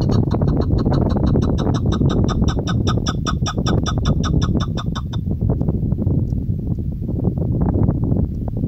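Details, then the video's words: A female chukar, used for hunting, gives a rapid run of short, nasal, clucking notes, about five per second, for five seconds over heavy low rumbling wind or handling noise. "Shikari Chakor sound Keklik sesi Femalechakor شکاری چکورآوازمادی چکور"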